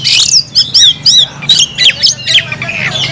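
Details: Oriental magpie-robin, known locally as kacer, calling a rival to fight with a string of short, sharp chirps and squawky notes, several times a second, over a faint low hum.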